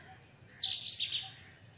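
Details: White-throated kingfisher, also called white-breasted kingfisher, a tree kingfisher: one harsh, high, rasping burst lasting about half a second, with faint low background hum.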